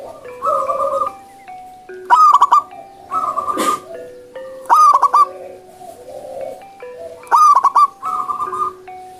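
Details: Wild zebra dove singing vigorously. Three loud, rapidly pulsed coo phrases come about every two and a half seconds, over a layer of other birds' sustained tones and whistles.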